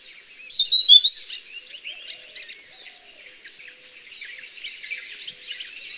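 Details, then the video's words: Grey-headed canary-flycatcher in the wild, recorded in nature rather than a cage: a bright burst of four quick whistled notes early on, followed by fainter high chips and twitters from surrounding birds. "Suara Burung Sikatan Kepala Abu (Grey-headed canary-flycatcher)"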